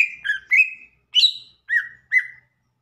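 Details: Cucak ijo singing short separate phrases: a drawn-out level whistle, then a higher buzzy note, followed by two dropping whistles with pauses between them.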